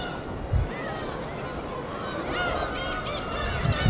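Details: Gulls flocking over the winter East Sea give short, nasal, downslurred cries that overlap in a loose chorus, over a steady low rush of gentle waves.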